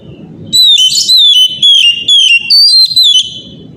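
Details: Oriental magpie-robin morning song used to stir other magpie-robins into singing: a strong run of ringing whistles, each note bending down, delivered roughly twice a second with short gaps between them.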